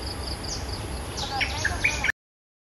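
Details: Cream-vented bulbul holding territory against an intruder, which it charges. A quick run of liquid, warbled notes with slurred up-and-down whistles follows faint high chirps, set against constant outdoor background hiss.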